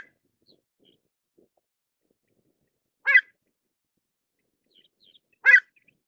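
Two loud, clipped 'kluit' notes from a pied avocet, about two and a half seconds apart, with near silence around them.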